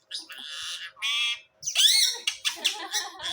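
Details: Indian ringneck parakeet, a talking pet parrot, mimicking words: harsh, high, buzzy syllable bursts in quick separate phrases, one rising squawk-like word near the middle, with faint background music.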